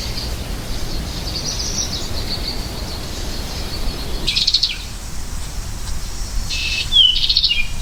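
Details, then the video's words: American goldfinch with a faint high wavering whistle through steady noise, then two bright buzzy bursts and a sharp falling whistle in the last seconds. "Beautiful Goldfinch Bird Sound"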